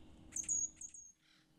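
A hermit thrush gives a high, thin phrase: a sustained pure tone with quick fluttering notes around it, then a softer, lower echoing trill.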